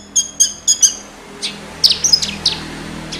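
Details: Horsfield's bush lark, a captive Wates-type bird from Java in full song: a few crisp high chirps in quick succession, then a looser scatter of sharp notes over a faint steady background hum.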